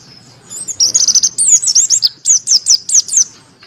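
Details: White-eye of the Monty variety singing open-beaked, its crystal voice meant for tutoring and stirring lazy birds. A brief high buzzy note leads into a string of bright, bouncing chirps about five per second.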